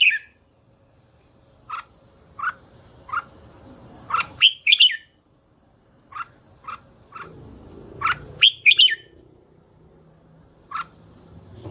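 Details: Red-whiskered bulbul calling with short, evenly spaced single notes, broken twice by louder rapid warbled phrases. Quiet pauses separate the notes, with a faint low rumble in the background.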